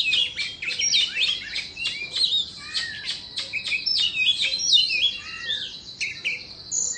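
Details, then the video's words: Rapid, high, twittering phrases from an Indonesian Oriental magpie-robin performing its dance: sharp up-and-down chirps, then a steadier stream of warbled notes. "Choè Than Indo hót múa xoè"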